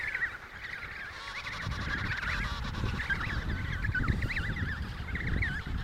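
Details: Emperor penguins in the Riiser Larsen breeding colony, Antarctica, 72°06 S 15°06 W, November 2010: many overlapping warbling, wavering calls, strong low wind rumble throughout.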